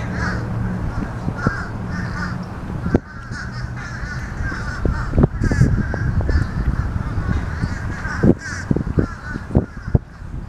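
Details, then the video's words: Fish crows calling noisily: a series of short, nasal, harsh caws at irregular intervals, some overlapping, over a steady low rumbling background. "Noisy Fish Crows"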